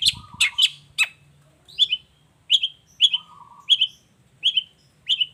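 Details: Long-tailed shrike singing as a lure to make other shrikes answer, in the chattering "gacor toet toet" style: short harsh downward notes repeated about every half second, with a few low steady whistles in between.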